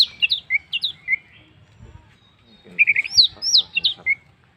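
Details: Lure song of an orange-headed thrush meant to get other birds singing. The song runs as two bursts of rich, warbled whistles that swoop up and down, separated by a short quiet gap with faint low rustling.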